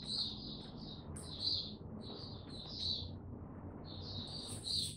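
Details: Oriental white-eye, tiong aw song recorded 25 January 2022 after the bird slept late; short, separated bursts of high sweet twittering with gaps between phrases over a low background hum.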